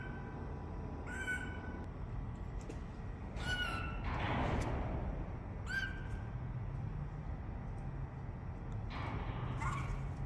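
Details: Pied butcherbird (Cracticus nigrogularis) in Australia gives clear, fluted notes in short phrases every two to three seconds over a steady low rumble of workshop noise from mining-truck cylinder repair.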